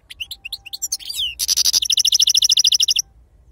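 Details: European goldfinch, authentic wild 'khloui' Sarfati song: separate clear chirps, a short buzzy passage, then a loud, steady trill of about twenty identical sharp notes.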